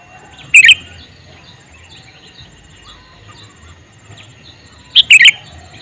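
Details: Male sooty-headed bulbul giving two loud bursts of sharp chirping notes about four seconds apart. Faint, soft bird twittering carries on in the background.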